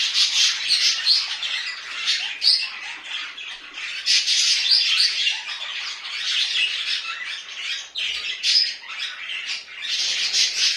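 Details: Home budgies in a long run of loud, dense, harsh chattering and squawking, rapid and irregular with brief dips.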